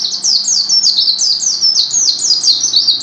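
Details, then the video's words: Vigorous gacor song of a white-eye, a continuous stream of very high, sharply downslurred chirps tumbling one after another, about four to five notes each second, with no other sounds. "SUARA BURUNG PLECI GACOR"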